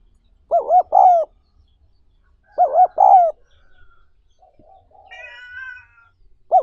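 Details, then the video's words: Spotted dove, recorded to train decoy birds and rouse wild-caught doves, gives two full hollow coo phrases of three notes, the last drawn out, then a brief higher harmonic squeal and the start of another coo. "60 Phút Tập Chim Cu Gáy Bổi Mỗi Ngày"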